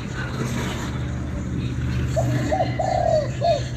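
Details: Spotted dove in Vietnam calling, a single soft cooing phrase midway: two short coos, a longer drawn-out note, then a final short coo, over a steady low rumble of passing traffic.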